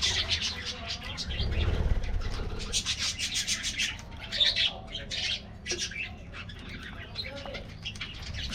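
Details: Budgies in a colony aviary during their morning treat, many birds chattering at once with rapid high chirps and warbles, a brief low thump early on and steady low hum beneath.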